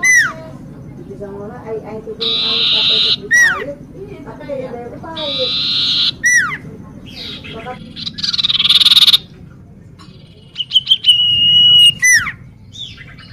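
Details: Varied common iora song: repeated falling swoops, held buzzy notes, low wavering tones and, near the end, a steady clear whistled note.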